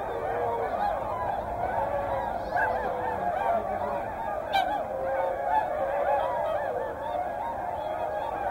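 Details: Whooper swans with tundra swans at Hyoko, Niigata, recorded over a day from morning to evening: a dense chorus of overlapping nasal, bugling honks from many birds, calling continuously without pause.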